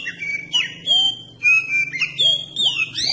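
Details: Oriental magpie-robin song meant to provoke other magpie-robins into singing: a rich sequence of clear whistles, upward slurs and quick twittering notes delivered in short bursts, over a faint low hum.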